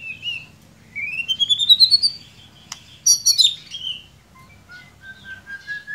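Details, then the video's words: White-rumped shama played as a lure song to coax a quiet, merely chirping bird into singing: a long rising whistled phrase of rapid notes, then a burst of sharp varied notes and softer, level whistles trailing off. "Solusi murai ngiriwik kurang gacor cukup dengarkan suara pancingan ini pasti nyangut"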